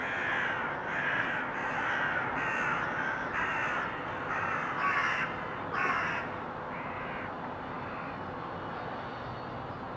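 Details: Crows recorded in February 2023 give a series of harsh, hoarse caws, about eight calls spaced roughly every half second to second, then fall quiet over steady background noise.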